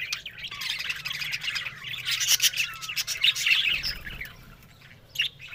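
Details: Several budgerigars chattering on October 1: a dense, continuous warble of quick chirps and short squawky notes, rising and falling in loudness with a few sharper calls near the end.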